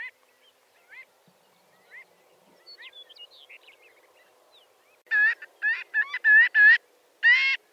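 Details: Marbled godwit: scattered faint, quick nasal notes at first, then a loud burst of rapid, clipped honking calls in close succession, ending with one more strong call.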